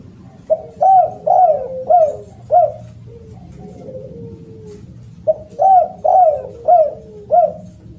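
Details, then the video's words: Spotted dove, a loud call, gives two bursts of four to five rising-falling coos around half a second apart, separated by softer drawn-out low moans, over a faint low hum. "SUARA BURUNG DERKUKU ( suara keras )"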